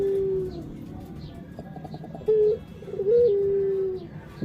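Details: Barbary dove, or puter, with soft level coos and a brief rising-falling note amid quiet room noise.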